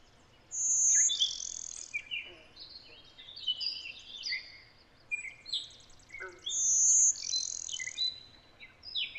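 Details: Blue-winged warbler in Connecticut, where it interbreeds heavily with Golden-winged Warblers: a high, thin buzzy note, then a second buzz about six seconds later, among many other birds' whistles and chips.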